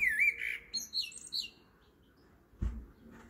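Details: Blackbird singing at 7:30 pm: one phrase, a mellow, fluting warble, then a burst of high, squeaky twittering notes. A soft thump follows in a quiet pause.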